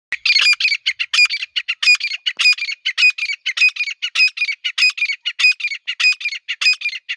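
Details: Calling female grey francolin, used as a hunting sound. A steady run of rasping, squeaky notes comes at roughly three per second throughout, with no pause and no background noise.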